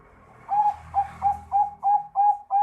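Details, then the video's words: Bangkok-type zebra dove singing actively to encourage other doves to answer: a regular string of seven soft, pure whistled coos at one steady pitch, about three each second, against a faint low hum. "Kutut bangkok manggung gacor !! Bikin perkutut malas bunyi cepat nyaut"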